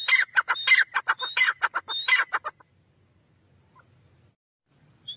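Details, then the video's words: Grey francolin (teetar) giving a loud, harsh, rapid run of ringing notes for about two and a half seconds, then near silence with one faint final note. "Teetar ki awaz"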